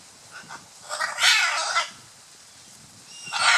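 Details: Scarlet macaws in courtship display at Playa Blanca, La Palma, Osa Peninsula, Costa Rica; two harsh, broadband squawks, the first drawn out about a second, the second starting near the end, over quiet background.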